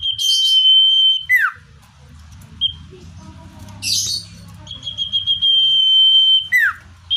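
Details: Common iora singing naturally, a recording meant to lure wild birds nearer: long level high whistles, each ending in an abrupt falling slur, repeated twice with a short whistled note and a noisy burst between.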